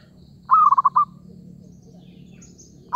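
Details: A single trilled coo phrase from a zebra dove used in trapping, with a rising first note and four or five quick bouncing notes, and the start of the next phrase at the end.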